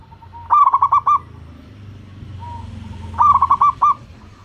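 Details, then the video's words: Indonesian local zebra dove, a lure bird meant to trigger other doves' calls: two phrases of fast mellow coos ending in a longer note, a lone soft coo between them, over steady low background noise. "perkutut lokal langsung gacor, sekali dengar suara burung perkutut ini bunyi"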